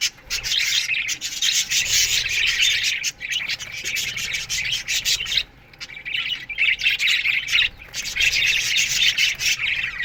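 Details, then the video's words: Australian budgerigar colony in an aviary at morning, keeping up a long, busy chorus of buzzy, grating warbles and chirps that pauses briefly midway before resuming. "Budgies Morning Chirping Sounds"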